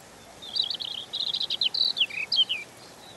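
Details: Gentle, continuous warble from a European robin: a tumbling stream of high twittering and sliding notes, some rising, some dropping, packed closely for about two seconds.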